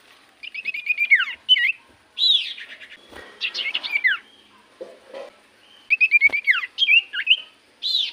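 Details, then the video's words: Lure recording of common iora song meant to prompt other birds to answer: rapid runs of repeated high whistled notes ending in downward slurs, alternating with chattering phrases, in quiet surroundings. "Pancingan Burung sirtu cipoh gacor"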